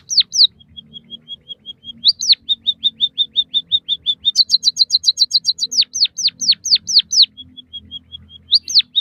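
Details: White-headed munia song, used as training audio for captive birds. Falling slurred whistles alternate with long runs of soft, even ticking notes and a burst of rapid high chirps. The pattern repeats steadily.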